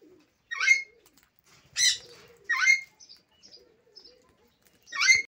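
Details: Sun conure (Aratinga solstitialis), breeding pair with three chicks, eating sunflower seeds; harsh, screechy, loud grating bursts repeated at irregular intervals.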